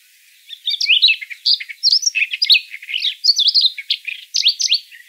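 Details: A Siberian rubythroat, recorded as a trapping lure, sings a fast, varied warble of high, sweet whistles and scratchy notes in quick phrases, with no other sounds.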